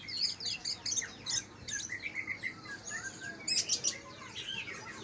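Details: Greater green leafbirds, Kalimantan against Banyuwangi type, singing as a trigger for untrained birds: a busy, fairly soft medley of high chirps, trills and quick slurred notes with a steady low background hum.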